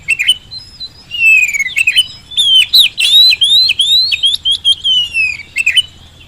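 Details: Vigorous Oriental magpie-robin song, played as a lure to get quiet kacer singing. Rapid sequences of looping, clear whistles, interspersed with dry ticking notes, run almost continuously for about five seconds.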